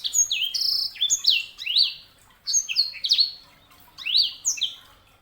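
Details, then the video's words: Three lively phrases from a sanger canary hybrid, each made of falling whistled slurs and sharp chirps, spaced about a second apart. "KICAUAN SANGER"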